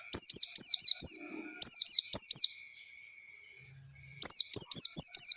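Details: Oriental white-eye song used as a lure for training young birds: bursts of high, thin, downslurred twittering notes in quick runs, with pauses between bursts and a faint steady high whine underneath.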